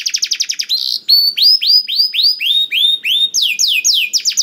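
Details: Energetic 'gacor dor' canary singing to stir quiet canaries into song: a rapid trill, a slower run of rising whistled sweeps about four per second, then quicker falling notes.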